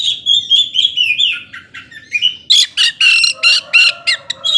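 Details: Oriental magpie-robin singing loudly to provoke slower-tempered rivals: a rich run of whistled, slurred notes followed by harsh rasping bursts repeated about four times a second, with a steady low tone underneath.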